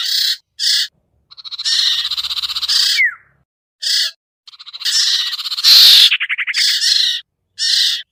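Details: Sirtu lure call: short rasping notes and longer grating buzzes, one falling whistled slur, and a loud stuttered trill late in the sequence.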